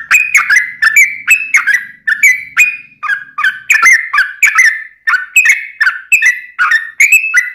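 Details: Unbroken ropelan singing from a Yellow-vented bulbul, played to train birds and lure wild ones: steady rapid sequence of rich, slurred whistles, each note crisp at its start and rising or falling.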